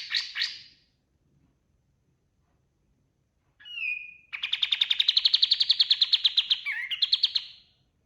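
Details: White-eye (kapas tembak) singing vigorously, recorded as master song for tutoring other cage birds: two opening chirps, a pause, a clear whistled note, then a long rapid rattling trill of repeated buzzy notes with a short whistled break.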